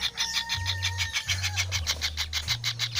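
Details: Young kingfishers produce fast, rhythmic scratchy pulses. A thin drawn-out whistle from another bird is heard at the start, over a low electrical-like hum.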